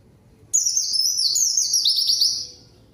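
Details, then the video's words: Vocal white-eye lure song for calling a rival and prompting untrained birds to answer; one sustained two-second stream of very high twittering notes that wavers, then slides lower near the end before fading. "PANCINGAN PLECI GACOR MANGGIL LAWAN PLECI BAHAN LANGSUNG RESPON DAN IKUT BUNYI"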